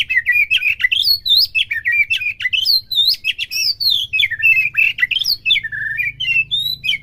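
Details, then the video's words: White-rumped shama song played to provoke a captive bird into singing, for use morning and midday: a dense stream of varied whistled phrases, looping and bending between mid and high pitch, with rapid chirps and slurred notes packed together. "PERANGSANG EMOSI MURAI BATU AGAR CEPET IKUT BONGKAR,PUTAR PAGI SIANG SIRE"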